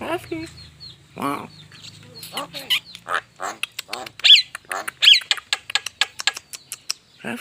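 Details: Javan myna in an unedited recording, giving harsh squawks and rapid dry clicking notes at an irregular pace, with a few tonal whistles and speech-like voice sounds near the start.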